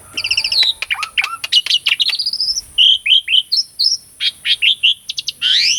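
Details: Asian pied starling in full vigorous voice, played to rouse non-singing birds: rattling chirps and low whistled drops lead into a rising whistle, then bright hooked notes and a final upward sweep.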